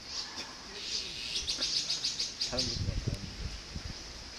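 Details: Azure-winged magpie nestlings, excited as their parents finally return with food and close to fledging, give a quick run of thin, high chirps, about a dozen in two seconds, while a person talks quietly.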